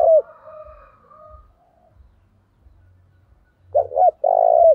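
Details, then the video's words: A fight-provoking decoy spotted dove with a thổ-type voice gives short, low, burry coos: one opening note, then a quick double note and a long sustained coo, over dull repeated thuds and a faint, drawn-out call behind. "Chim Cu Mồi/ cu gáy thúc đấu cực sung vang một vùng"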